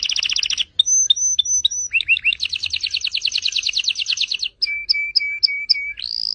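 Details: Pet canary song, played to train other birds: quick trills, clipped whistled notes, dipping looped notes, a long fast rattling trill, then short notes over a steady lower whistle and a rising ending.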